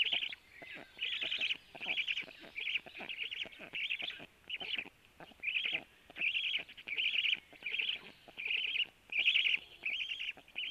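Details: At a black stork nest around 12:01, the male feeds his storklets while harsh buzzy squeals come in steady bursts, roughly eighty a minute, with dry clicks and rustles between them.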